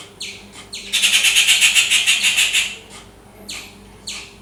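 Rufous treepie giving a loud, harsh, grating rattle of about a dozen quick pulses, set between single scratchy notes. A faint low hum underlies it.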